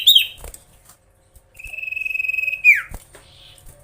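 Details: Magpie-robin singing in full voice to provoke rival birds: a few sharp whistled notes, then a long, steady, slightly trilled whistle held for about a second, ending in a quick downward slur.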